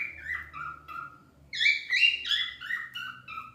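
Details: Pet cockatiels singing: slurred whistled notes sweeping down, then a louder burst of rising and falling harmonic-rich whistles, phrases tumbling in a loose series.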